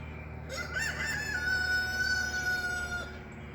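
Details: A rooster crows during a country walk. It gives a single long crow lasting about two and a half seconds: a brief rising start, then a strong note held level. A low background rumble is also heard.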